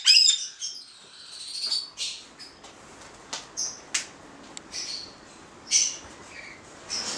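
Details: Two male white-bellied caiques, Caique leucogaster xanthomeria, kept indoors, giving sharp high squawks and short shrill calls in irregular bursts with quiet gaps between them.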